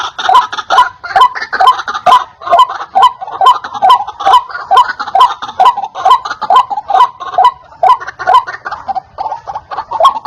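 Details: White-breasted waterhen call used as a lure for wild waterhens, loud and clear: harsh, croaking notes repeated steadily about two times per second in a long unbroken series.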